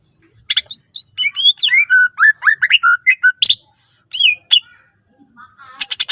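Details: Greater green leafbird with a rich, full song meant to get other leafbirds singing: dense, rapid phrases mixing rising and falling whistles, buzzy sharp notes and chattering bursts, broken by brief pauses.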